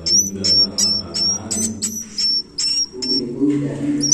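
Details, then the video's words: Young swiftlet chicks calling in a steady run of thin, high, slightly falling whistles, each paired with a short hissy burst, over a low murmuring background. "suara anak piyik burung walet"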